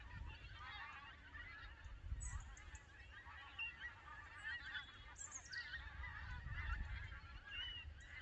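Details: Canada geese migrating over Lambwath Lakes near Aldborough, a noisy flock. Dense, overlapping honking continues without pause, with brief sharp high notes near five seconds and low gusts of wind rumbling beneath.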